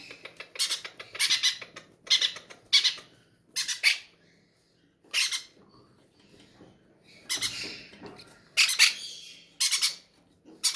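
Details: Captive parrots in a breeding aviary beg noisily when hungry at feeding time, giving a rapid series of short, harsh squawks. Several rough bursts follow after a brief lull, over a light background hum.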